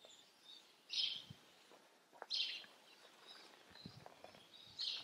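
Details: House sparrow giving three loud, bright chirps spaced a little over a second apart, with soft ticks and quieter notes between them.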